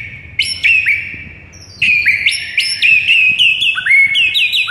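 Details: Morning masteran song of a white-rumped shama used to excite a mute bird: loud, ringing whistles, each opening with a high note then dropping into a curling phrase, repeated about once a second.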